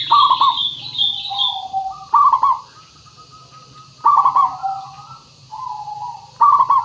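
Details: Zebra dove lure song from a local bird: another bird twitters high at the start, then rolling, stuttered coo bursts repeat roughly every two seconds, linked by gentle sustained coos, with a steady background hiss.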